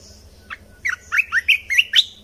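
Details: Red-whiskered bulbul lure song, used to train young birds and rouse birds: a short burst of bright, warbled, rising and falling whistled notes, about seven in quick succession, over a faint low hum.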